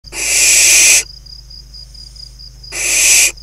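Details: Barn owl nestlings in a nest box in crop fields at Kibbutz Snir, Hula Valley, northern Israel, late June, five surviving from a brood of eight, playing; two long broadband rasping hisses, about a second each, with a steady faint tone between.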